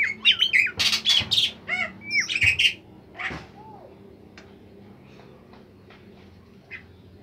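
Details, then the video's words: Bimoli bird in melodious, lively song for use as a tutor recording: a burst of harsh squawky notes mixed with whistled slurs for about three seconds, then near silence with a few faint chirps. "masteran burung bimoli sangat merdu dan gacor"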